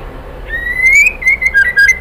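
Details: Female White-rumped shama calling the male: after a short silence a long, clear whistle climbs slowly, then breaks into short stepped whistled notes, ending on a high rising note. Faint hum below.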